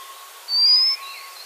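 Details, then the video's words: A white-capped redstart gives one thin, high, slightly rising whistle lasting about half a second, then fainter lower notes, over a steady background hiss. "Tiếng chim chích chòe nước đuôi đỏ đầu trắng"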